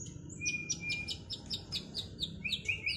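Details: Freshly moulted white-rumped shama in a duel, giving a rapid train of thin, high chipping notes over soft background noise.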